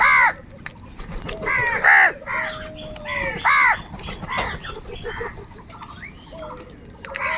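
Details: Crows fighting over food call in a rapid run of harsh, nasal caws, about six loud strokes in the first four seconds. Softer calls follow, with other small birds chirping behind.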